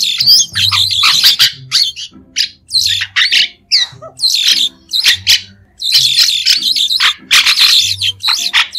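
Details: White-shouldered starling singing with no background noise, a run of scratchy, squawking bursts and rasping chatter in uneven phrases, with short pauses between loud stretches.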